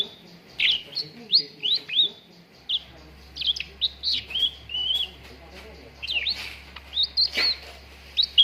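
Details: Cucak ranting song used as a training recording for contest birds: rapid series of short, bright whistled and slurred chirps, some rising and some falling, in bursts with brief pauses, over a faint low hum.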